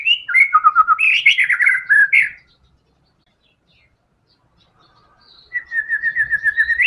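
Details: White-rumped shama in lively fighter song used to encourage caged songbirds to sing. A varied warbled phrase of sliding whistles is followed by a quiet gap, then an even, rapid trill of repeated notes.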